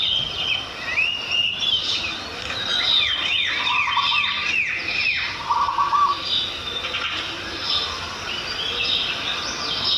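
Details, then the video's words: Morning birdsong over village farmland: dense chorus of bright twitters and trills, with sweeping downslurred notes and a brief steady whistle near the middle, steady outdoor background. "Relaxing Birds Sound"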